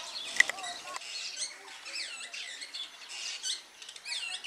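Superb starling giving a rambling run of whistled, chattering notes, with many rising and falling slurs between about two and eight kilohertz; a sharp click near the start.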